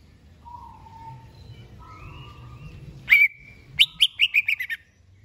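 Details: Greater green leafbird being readied for a singing contest: soft drawn-out whistles at different pitches, then a loud sharp note and a fast falling run of about seven bright chirps, with low background hum.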